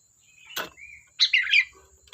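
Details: Sooty-headed bulbul in energetic song: a brief rustling noise, a soft slurred whistle, then a loud quick bubbly warbled phrase.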